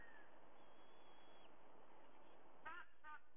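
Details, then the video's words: White-bellied sea eagle at a Sydney nest camera, 30 September 2022 at 05:44 in early morning; two short, harsh honking notes with stacked tones near the end, a faint thin whistle earlier, over steady hiss. "Sydney White-Bellied Sea-Eagle"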